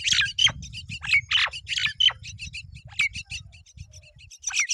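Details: Mynas at the nest as both parents feed their babies: loud harsh squawks and descending screechy notes mixed with faint high chick chirps.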